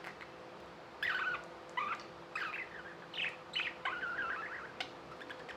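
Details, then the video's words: Captive budgies warbling: after a second of quiet, a string of short chattering chirps and slurred notes follows, over a low steady hum. "Budgies | Talking | Singing | Chirping sounds"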